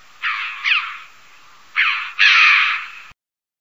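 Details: Hoarse, ringing calls of a red-billed chough: two close together, then two more after a short pause, with the last one drawn out and rasping. No other sounds.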